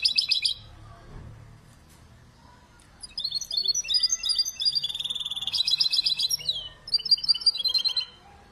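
A canary–goldfinch mule sings a fast, bright run of twittering trills and sweet chirps.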